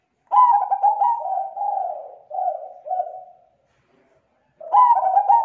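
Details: A zebra dove gives its thick, clear lure call, meant to attract other zebra doves: a rolling opening followed by four softer, falling coo notes, then a pause and the next phrase beginning.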